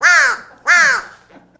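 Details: Captive, imprinted American crow at a bird-of-prey rehabilitation centre, unable to fly after a shoulder injury, taken by a hawk as a two-week-old nestling; two loud, hoarse, downward-arching caws about 0.6 seconds apart, close and clear, then a soft trailing note.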